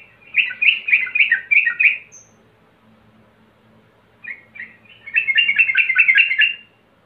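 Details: Male yellow-vented bulbul calling a rival: two bursts of rapid, chattering, bubbling notes. The first lasts about two seconds, then a pause with two short notes, then a longer, denser run of warbled notes.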